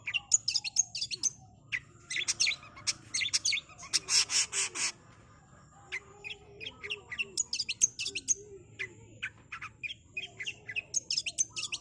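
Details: Long-tailed Shrike singing fast training-recording song: bursts of high chattering and clicks broken by a long harsh buzzy rattle, then more rapid chirping phrases over a low hum.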